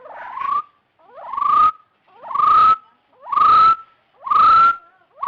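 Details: Rising whistled calls of a partridge, each note sliding upward and ending on a sustained tone, repeated about once a second for five notes, loud and clear.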